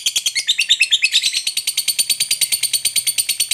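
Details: Long chattering song of a fighter lovebird, used as a lure to get other lovebirds singing; harsh metallic chirps repeat quickly and evenly, a slightly louder, more varied stretch opening the run.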